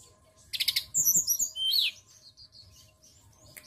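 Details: ['Singing white-browed shortwing from a songbird training lure: a fast buzzy rattle, then a jumble of high twittering notes and a loud falling whistle, followed by faint scattered chirps.']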